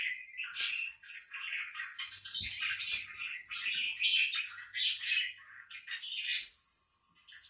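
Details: Parakeets calling, a dense run of overlapping high chirps and short squawks with brief dips between bursts and almost no low sound.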